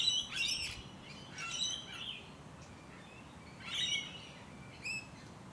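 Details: Close-range musk lorikeets in Hunters Hill, Sydney, Australia, between late November and early December 2020, giving sharp, high, grating screech notes, a pair of bursts, a pause, then two more, with quiet suburban background.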